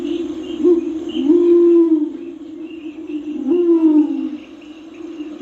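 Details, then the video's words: Two low, swelling coos from a Torresian imperial pigeon, each rising then sliding down, about two seconds apart, against a constant low drone and scattered high insect chirps. "Sounds of the Torresian Imperial Pigeon Ducula spilorrhoa"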